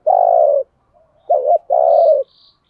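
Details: Caged decoy spotted dove cooing to lure wild doves: low, husky coos, a long note, a short double note, then another long note, with faint high chirps from another bird.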